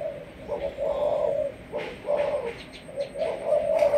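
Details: Spotted dove of Malaysian stock, a 'sấm thổ' voiced decoy bird, cooing in a rapid run of low, rounded notes that blur into one another, with a faint high whine behind.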